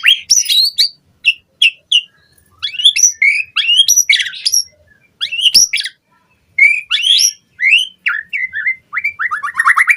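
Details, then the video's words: Lure song of white-rumped shama for conditioning captive birds to sing fully: bursts of sharp high chirps and squeaky notes, then slurred whistled notes, ending in a rapid rising series. "Pancingan Murai Batu Cepat BONGKAR ISIAN Buat Masteran Suara Burung Murai Agar Gacor Full Isian"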